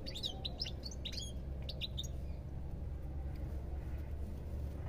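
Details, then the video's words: Quick bursts of high, tinkling goldfinch twitter fill the first two seconds, then fade out, leaving only a low steady background rumble. "ربع ساعة من تغريد طائر الحسون"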